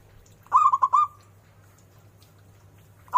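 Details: Zebra dove: one burst of four or five quick, chiming coos ending in a brief trailing tone. A second phrase begins just as the clip ends. Low background hum.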